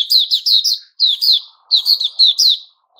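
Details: White-rumped shama, known as puteh raja, recorded 29 August 2021, singing loud high chirped notes in quick pairs and triplets, each dropping in pitch, in three bursts separated by brief pauses, with a faint low murmur behind.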